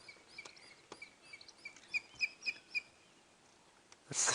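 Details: Female pale-morph Wahlberg's Eagle calling from a branch by the pair's nest at sunrise on 7 September 2016, shortly after mating and nest-building: thin, high, clipped whistles, about three or four a second and growing louder, ending in a brief rush of wind noise.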